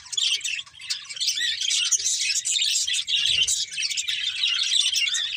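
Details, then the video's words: Breeding pair of colourful budgies with their family, warbling in a steady, unbroken stream of high scratchy chatter and quick chirps lasting the whole stretch. "Colourful Budgies Chirping Sounds"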